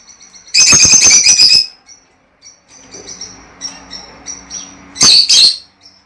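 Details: Lovebird calls meant to stimulate a bird to mate: a burst of shrill, rapid chattering chirps, then a quiet rustling stretch, and another brief piercing chirp burst near the end.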